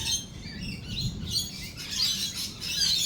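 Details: Lorikeets during a thunderstorm with lightning: a busy stream of high, squeaky, screeching chatter that swells toward the end, backed by faint low rumbling.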